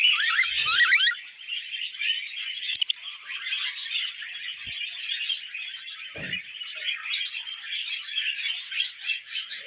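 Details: Several tame pet budgies with millet, keeping up an even, rapid twittering chatter of short scratchy notes, with a couple of sharp clicks.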